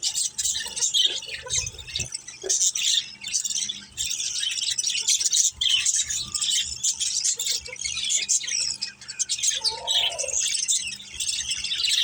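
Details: Chattering pet budgerigars in a family group, dense high twitters and chirps running throughout, with faint low knocks in the background.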